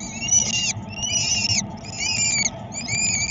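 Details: Peregrine falcon at Dream Jump in Szczecin, Poland, on 22 April 2021 during feeding: four drawn-out, harmonic wailing calls, each about half a second long and slightly wavering, over a low rumbling background.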